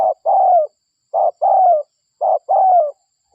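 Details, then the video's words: Spotted dove of local stock cooing as a lure for wild doves, a short clipped note then a longer drawn-out, slightly descending coo, repeated about once a second with clean silence between. "Pikat Suara DERKUKU Lokal Gacor RAJA PIKAT Ahlinya Bikin Semua DERKUKU DATANG"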